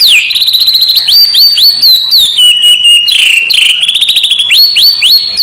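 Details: White-rumped shama contest training song, a hard provoking style: a varied string of clear upslurred whistles and short fast trills, repeated in quick phrases, high and ringing.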